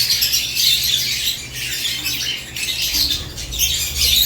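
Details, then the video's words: Lovebirds in a cage in the morning: a dense, shrill wash of high chirps and squeaks from several birds, continuous throughout with brief dips in loudness, over a faint low hum. "Morning Lovebirds Cage Moments | Natural ChirpingSounds"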